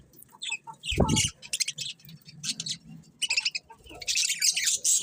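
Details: Pet budgerigars give scratchy high chirps and squeaky chatter, broken by a low thump around one second, with a dense burst of twittering at the end.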